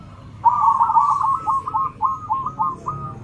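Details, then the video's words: Local and crossbred zebra doves calling back and forth, all joining in: a rolling cooing trill followed by a string of short, clipped coos repeated rapidly, with steady low background hum. "Suara perkutut lokal dan crosing saling sahut rame semua ikut bunyi"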